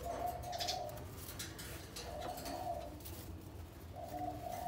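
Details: Spotted dove of a paired breeding couple that has begun mutual preening and nest building in captivity; three low, hollow coo phrases spaced about two seconds apart, with light background hum.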